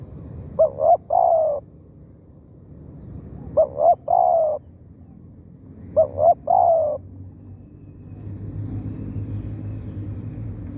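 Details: Spotted dove used as a lure for wild birds: three cooing phrases roughly every two and a half seconds, short double notes then a drawn-out soft coo, followed by low outdoor rumble.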